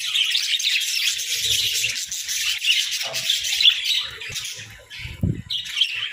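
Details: Playful budgies in a hut keep up a busy chorus of high chirps and warbling chatter, easing slightly near the end, with a couple of dull low bumps.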